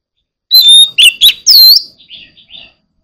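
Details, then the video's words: White-rumped shama singing loudly: a clear whistled note, then harsh scratchy bursts and a looping whistle, fading into a few softer trailing notes. "Chòe than hót líu mê đắm lòng người"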